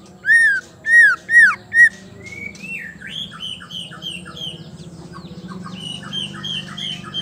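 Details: A female white-rumped shama, whose call is used to rouse males into song, gives four loud, arched whistles about half a second apart, then a softer run of varied, warbled notes over a low steady hum.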